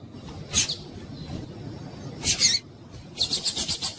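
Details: Breeding-condition female rusty-collared seedeater calling to stimulate males: two short high buzzy bursts followed by a rapid string of six bright repeated notes.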